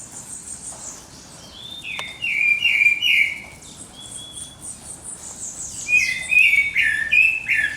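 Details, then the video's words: Dawn chorus of birds: loud warbled phrases and whistled notes, with many thin high chirps from other singers layered above throughout. "pássaros cantando no amanhecer"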